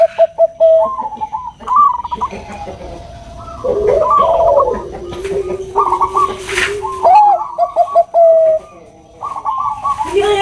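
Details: Bangkok-type zebra dove, a female calling a male; choppy rolling coos in short bursts, with a long low held tone through the middle and a brief hissing noise partway through.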